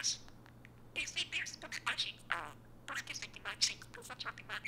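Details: A pet parakeet imitates human speech indoors in rapid, high, raspy phrases with a few brief pauses. Its mimicked words, such as "Hey Siri," trigger Siri on an iPhone.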